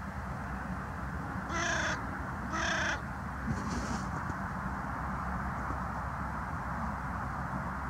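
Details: Carrion crow croaking from the ground, 22 January 2020: a pair of rasping caws one second apart, then a faint distant caw, over continuous low rumbling noise.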